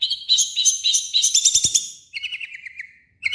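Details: Long-tailed shrike singing energetic harsh song, used as a lure to make other shrikes sing: rapid rough notes about three to four per second, then a falling series of bright chattering notes after a short pause.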